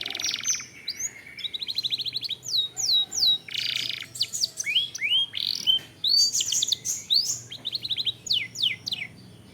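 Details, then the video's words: Canary used as a lure to make other canaries sing, delivering a long varied song of swooping whistles, fast clipped trills and buzzy rolls in quick succession, almost without pause. "Pancingan Kenari / Masteran Kenari / Dijamin Langsung Bunyi"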